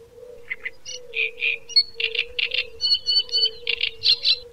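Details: Great reed warbler (Acrocephalus arundinaceus) singing loud, harsh, grating chattering notes in quick paired and repeated bursts, mixed with a few higher squeaky whistles, over a steady low humming drone.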